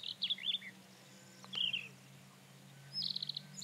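Rufous-tailed scrub robin singing three short, high, varied phrases of quick chirps and whistled notes about every second and a half, over a faint low hum.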